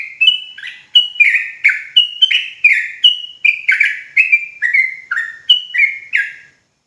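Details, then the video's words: ['Sooty-headed bulbul, called trucuk Jawa, a lively singer used to rouse other bulbuls into rapid singing: about thirteen rich, bubbling whistled phrases roughly every half second, each slurring downward then up, steady and loud with no other sounds.'] "Dengar Suara Trucuk Jawa Ini"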